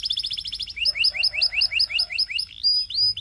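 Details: Canary song aimed at getting other canaries singing: a quick pulsed trill gives way to paired rising chirps repeated about three times a second, ending in high thin slurred whistles.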